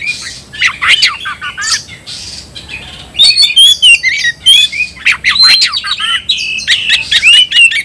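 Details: Captive white-rumped shama (kacer) calling to challenge an opponent to fight: loud, varied bursts of whistled and harsh notes, with sliding whistles and rapid chattering phrases, growing denser and louder in the second half.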